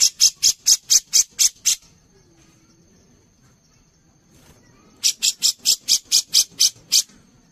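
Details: Grey-cheeked bulbul in a master recording for songbird contests: two bursts of about seven harsh, rasping notes each, delivered about four per second, separated by a quiet pause of roughly three seconds.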